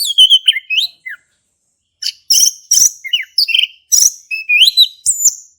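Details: Male orange-headed thrush in ngeplong-style song, used to coax a silent thrush: descending whistled notes, a second of silence, then a rapid series of loud, rough chirps and rising whistles.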